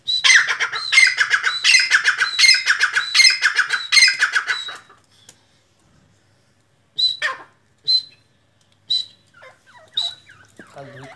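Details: Kala teetar (black francolin) calling in a long, grating, rattling series of rough bursts for nearly five seconds. After a silence, a few isolated sharp notes and soft scattered sounds follow.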